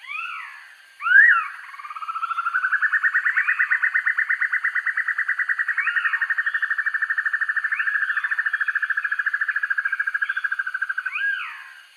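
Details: Dusky broadbill, recorded for training birds: sharp upslurred squeals, then a long, rapid, pulsing trill that rises slightly and holds steady for about nine seconds, with further upslurred squeals dropped in over it.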